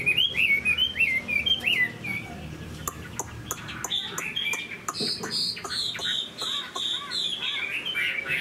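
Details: Moulting caged Chinese hwamei opens with looping whistled phrases, then a stretch of sharp clicking taps, followed by higher, thinner whistled notes and more warbling.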